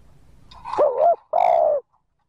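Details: A single cooing phrase from a spotted dove meant to stir wild birds to respond. A rising, wobbling, throaty note is followed by a longer, flat, hoarse coo, with a faint breathy lead-in.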